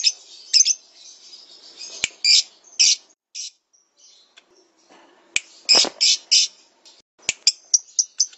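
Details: Lovebird song from a master recording used to train other birds: high, squeaky chirps and rapid twittering bursts in uneven runs, with sharp click-like snaps interrupting, and a fast stuttering series of chirps at the end.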